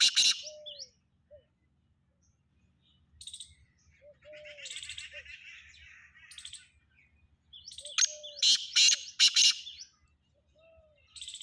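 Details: Black francolin calling in Sindh, Pakistan: coarse, grating bursts open the recording and return as a tight cluster of three to four notes near the end. Steady high twittering from other birds and occasional soft low whistles fill the gaps.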